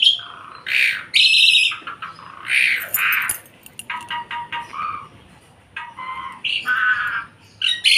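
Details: Javan pied myna singing energetically: loud, varied phrases mixing harsh squawks, bright whistles and rapid buzzy chatter, with short pauses between bursts.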